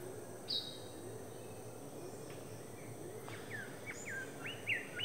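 King bird-of-paradise giving short, thin whistled notes, some slurring down and others rising, in an irregular string, over a steady high insect hum and forest hiss.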